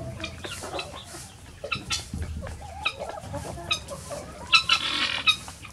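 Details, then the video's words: Hens rushing out of an opened coop in the morning to free range; scattered short clucks and soft murmuring calls, growing into a louder flurry of sharp notes toward the end. "Chicken morning rush"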